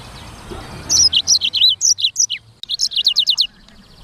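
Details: Black-throated canary (sanger) launches into brisk gacor song after a quiet start: a run of sharp descending chirps, a short break, then another rapid series.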